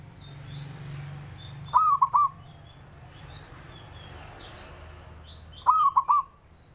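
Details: Rival-provoking call of a male local zebra dove: two stuttering four-note coo phrases about four seconds apart, while faint chirps of other small birds sound in the background.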